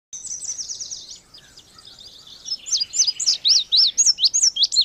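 An Indigo bunting sings a high, sweet song: a fast run of buzzy notes, then sharp paired notes repeated about four times a second.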